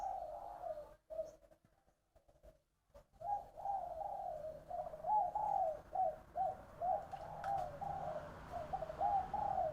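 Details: Spotted dove song in the three-part 'giọng đồng' style from Long An, Vietnam: a few coos, then a short silence, then a long run of steady, low, bubbling coo notes repeated about twice a second.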